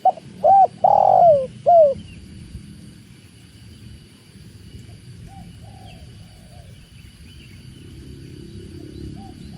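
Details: Spotted dove, tekukur, with the sound of water: one clear cooing phrase at the start, a falling drawn croo between shorter coos, followed by faint distant cooing under a steady low rumble.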